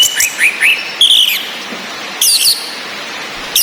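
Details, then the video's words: Orange-headed thrush whistles played to stir caged males' breeding drive: a few short rising high whistles, a brief buzzy trill, a pause, then another burst of sharp notes over a steady rain-like hiss. "ANIS MERAH BETINA NGECIS‼️ COCOK UNTUK NAIKAN BIRAHI BURUNG YANG MENTOK DI NGRIWIK SAJA"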